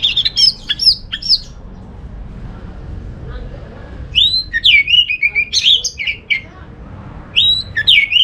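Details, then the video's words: Orange-headed thrush song used as a lure to set other thrushes singing: bursts of high, sharp whistled notes with quick upward and downward slurs, separated by a pause of a few seconds, then a longer tumbling run of notes. "Suara burung ANIS MERAH ini ampuh bikin ANIS Jenis apapun ikut bunyi, pancingan Suara Sebagai Terapi"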